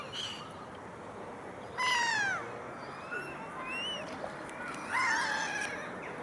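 Iceland gull giving drawn-out, falling mewing calls, rich and nasal, with a second harsher call later. Faint chirps from other birds over steady background hum.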